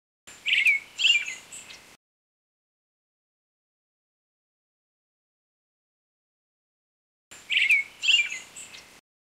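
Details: A Brown-headed Thrush (Turdus chrysolaus), a species that breeds in southern Japan and winters in southeast China, Taiwan and the Philippines, gives a short burst of thin, high, slurred notes, then after a long silence the same burst again.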